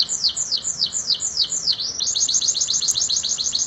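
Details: Vigorous canary song with pauses, meant as a master recording for training songbirds: a series of repeated downward-sweeping whistled notes about four a second, switching to a faster, tighter run of high notes.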